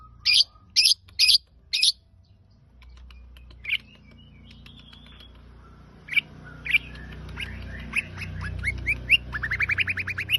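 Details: Long-tailed shrike giving a few loud harsh chirps, a pause with a quiet background rumble, then scattered sharp notes building into a fast run of rising whistled strokes.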